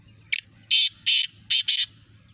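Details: Black francolin in a calling contest gives a sharp opening note, then four loud grating rasps in a rough rhythm, spaced about a third of a second apart, over a low steady hum.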